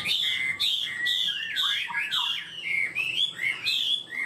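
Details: Singing caged Chinese hwamei, described as starting quickly and singing steadily and high: loud clear whistled phrases repeated roughly every half second, each sliding down from a high note to a lower one.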